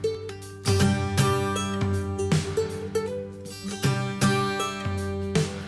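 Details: Strummed acoustic guitar music with bright repeated chords and steady bass notes, without any animal calls.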